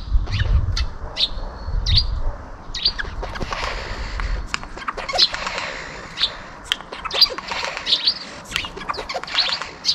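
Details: Eurasian jay (Garrulus glandarius) mimicking a car failing to start (sputtering low rumbles), sparrow chirping and a ringing bell, 18 February 2023.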